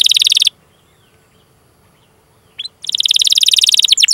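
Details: Canary song used as a training recording to get canaries singing: fast, loud rolling trill of rapid repeated high notes, a silent pause, then the rolling trill resumes with a few sweeping notes.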